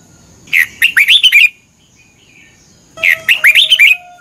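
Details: Morning training song of a competing red-whiskered bulbul: two lively phrases about two and a half seconds apart, each a fast string of six or so clear, bouncing whistled notes.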